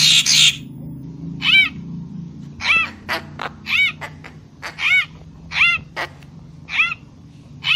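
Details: Papuan magpie-robin lure sound, singing actively: a steady series of clear, arched, ringing harmonic notes, about one per second, mixed with short sharp clicks after an opening harsh rasp.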